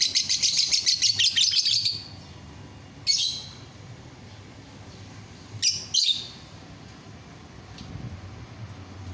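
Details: Lovebird singing to prompt other lovebirds to join in: a two-second burst of fast, high twittering chirps, then quiet broken by a few isolated sharp chirps.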